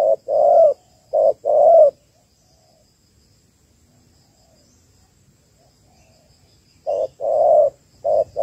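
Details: Female spotted dove calling to stimulate males, a trapping lure: paired low coos, a quick note then a drawn-out one, in a burst of two pairs, a five-second pause, then two more pairs.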